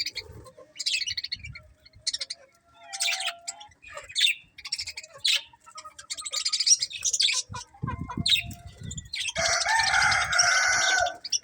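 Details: Budgerigars in a happy colony give dense, irregular high chirps and scratchy chatter, ending in a louder, sustained burst of overlapping squawky calls.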